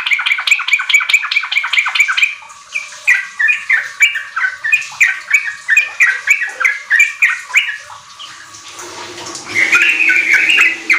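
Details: Lure recording of a vigorously singing Sooty-headed bulbul, meant to make raw caged birds kept in a group sing quickly. Rapid series of bright chirps, about three per second, followed by a softer warbled stretch.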